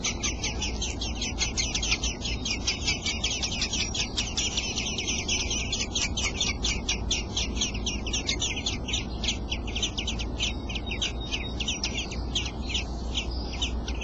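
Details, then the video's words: Robin chicks, eight days old, in the nest while the father feeds them: a dense, nonstop chorus of rapid high thin chirps, with a steady low rumble underneath. "Robins feed chicks in nest"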